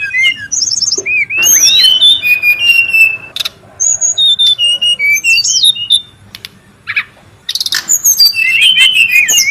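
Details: Brown-chested jungle flycatcher calling noisily in the wild: rapid varied high whistles, slurred upsweeps and squeaky trills, packed tightly and sometimes overlapping, with a brief quieter pause near the end before the busy chatter resumes.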